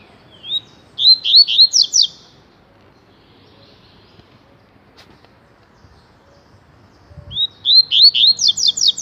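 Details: Double-collared seedeater (coleiro, papa-capim) singing the 'tui tui' style song: two phrases, each opening with a rising whistle, then a quick run of bright, slurred, descending notes, separated by about five seconds of quiet.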